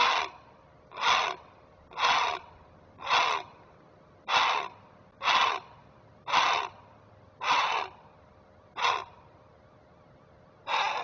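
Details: On 19 May 2023, at a Chesapeake nest cam, a Great Blue Heron parent guarding its young gives an alarm: about ten harsh, hoarse croaks, each half a second long, roughly once a second in a steady series.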